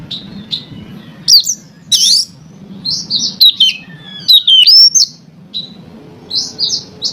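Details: Song of an Oriental magpie-robin played to stir other magpie-robins into singing, made of sweet high whistles, upslurred and down-slurred notes mixed with scratchy chatter, separated by short pauses over a low background hum.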